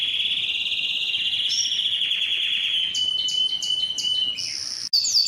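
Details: A singing yellow canary delivers a rolled trill that slowly falls, followed by a string of sharp chip notes, with an abrupt break near the end.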